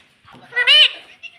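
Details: Talking pet ringneck parrot imitating the word "mommy", heard as one short, nasal, harmonic syllable that rises slightly and holds, followed by a faint click.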